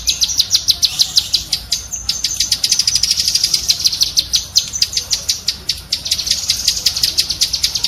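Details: Rapid 'tembakan' chattering of a cucak kinoi bulbul for training pet birds: a dense, high-pitched stream of crisp clicking notes that quickens into a near-continuous rattle mid-way, then eases back into separate pulses.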